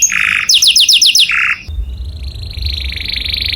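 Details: Canary singing loudly as a model for other birds to imitate. Fast rolling trills come in short blocks, then a softer, steady, high buzzy roll continues with a faint low rumble underneath.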